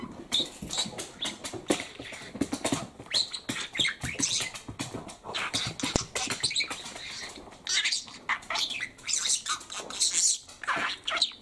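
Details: Male pet parakeet keeps up dense, fast chatter of scratchy and squeaky syllables with clicks, almost nonstop.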